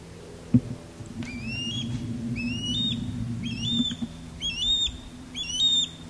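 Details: Osprey courtship calling as the male sky-dances over a backyard, female calling from a longleaf pine; a series of rising whistles growing louder, about one per second, over a low droning hum and a sharp click.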